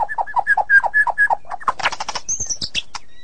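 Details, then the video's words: White-rumped shama repeating low doubled notes at a steady pace, then a brief burst of high clicks and a thin whistle. "Murai ngeplong dan ngeroll super rapet"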